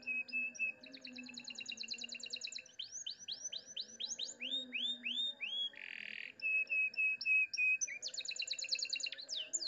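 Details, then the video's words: Canary song in the elaborate cengkok mewah style, with a clear voice: fast repeated chirps, a series of looping upward whistles, a brief harsh burst, then rapid trills, over a soft low drone. "Masteran Kenari Suara Jernih Cengkok Mewah"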